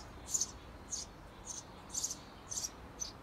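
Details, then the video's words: Eurasian tree sparrow parent calls outside a nest box to encourage 17-day-old young to fledge. Six sharp, very high chirps come roughly every half second, with a quiet background. "【スズメ】【雀】生後１７日目！巣立ちを促す親スズメさん Eurasian tree sparrow"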